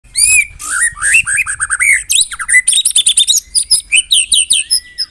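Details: White-rumped shama of the Medan type, a tame bird whose morning song is used to train other birds, in a loud, dense run of varied whistles, rattling chatter and sharp repeated notes, delivered rapidly without pause.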